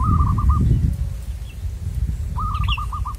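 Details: A wild local zebra dove, filmed in the context of trapping wild birds, gives rapid strings of short, soft, bubbling coo notes at an even pitch. A brief higher chirp from another bird and a low wind rumble run underneath.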